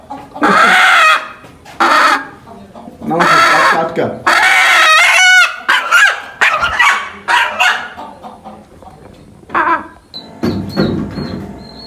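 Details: Chicken calling in a series of loud, harsh, harmonic bursts, several long and drawn out, repeated irregularly about every one to two seconds, with a man's speech and a faint high tonal sound near the end.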